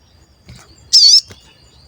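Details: Crimson sunbird, a lure recording meant to provoke other birds into calling. A single short, loud, buzzy high note with a slight wavering pitch stands alone against near silence.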